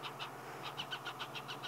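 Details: Baby hornbills in a tree cavity in a marula tree at Sabi Sand, South Africa, at sunset in late February, beg parents for food as an adult drops into the nest: rapid, squeaky chipping notes, about six per second, with a low hum behind.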